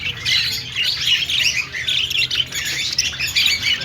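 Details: A flock of budgerigars in an aviary, with dense, continuous high chattering and warbling chirps from many birds overlapping throughout, over a low background hum.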